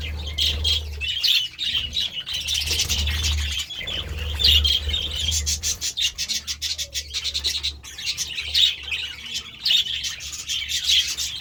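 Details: Budgerigars going wild over vegetables: a continuous group chatter of high warbling chirps, broken later into quick clicks and pecking noises over a steady low hum.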